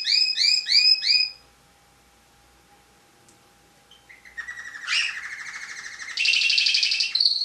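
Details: National champion tame canary singing: a burst of repeated curved downslurred notes, a pause, then rising chips leading into loud rolling trills and a dense buzzy tour.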